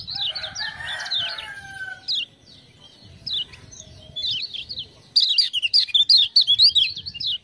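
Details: Lemon-bellied white-eye singing energetically in response to ciak-ciak prompting sounds, used for training other birds. Scattered high chirps with lower murmuring sounds behind them build into a dense, fast, high-pitched twittering run at the end.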